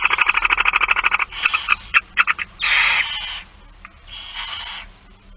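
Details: Fast clicking pulses give way to scattered ticks and two drawn-out hissing screeches as a barn owl begs during a feeding on 8 September 2019, 16:02.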